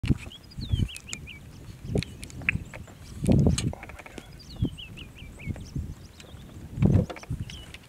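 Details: Solitary male Heuglin's bustard displaying near the road southwest of Sala gate, Tsavo East, Kenya, at 8:53 am after apparent recent rain, possibly wandered south from drought; deep, low booms every few seconds, small birds chirping above.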